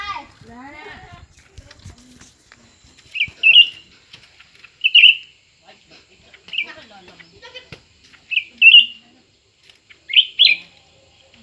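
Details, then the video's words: ['Cucak ranting, a new bird and an old bird in a singing contest, giving brief bright whistled bursts every one to two seconds after a harsh, bleating-like opening with some low background noise.'] "pertarungan antara dua burung cucak ranting baru dan lama"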